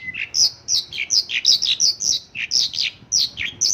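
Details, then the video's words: Bright, rapid song from a Mongolian lark filled with local phrases, a chain of high chirps and falling slurred notes about four per second. "Mongolian lark isian lokalan"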